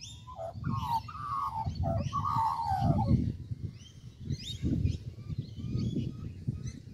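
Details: Australian magpie perched in a tree at Kings Park, Perth, Western Australia: a run of mellow, gliding descending notes in the first three seconds, then quieter scattered chirps over low rumbling background noise.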